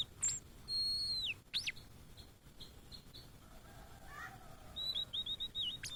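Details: Song of a Blue-and-white flycatcher, a migrant frequently met in Indonesia: long clear whistled notes sliding downward, a sharp upswept note, soft short pips, then a wavering whistled phrase near the end.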